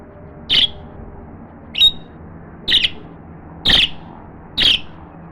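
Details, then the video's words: African grey parrot practising talk for the first time repeats a short, high, sharp chirp five times, roughly once a second, against a quiet background. "African Grey Parrot Talking"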